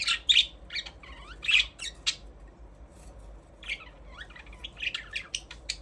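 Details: Budgerigars chattering with a mix of harsh squawky notes, quick sweeping whistles and scratchy chirps, delivered in irregular bursts with brief gaps, busiest at the start and again in the final two seconds.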